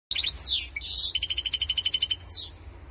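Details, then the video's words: A goldfinch x canary hybrid sings a rapid, high, varied song of sweeping whistles, buzzy trills and a sustained twittering run. "Καρδερινοκάναρο (Goldfinch x Canary)"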